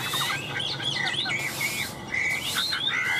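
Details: Chinese hwamei, a very tame bird being handled, pours out a busy jumble of short whistled and chirped notes, tangled and overlapping, with a steady background hiss.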